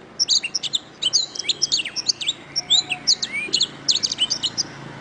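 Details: Canary masteran song for training birds to sing well: a continuous stream of bright, high chirps, quick up-and-down sweeps and short whistles, lively and varied for five seconds.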